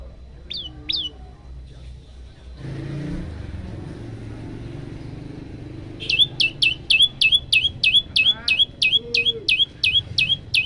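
An Olive-backed Tailorbird gives a fast run of sharp, high, ringing notes, about three per second, after two brief opening notes. A low rumble like passing traffic is heard underneath.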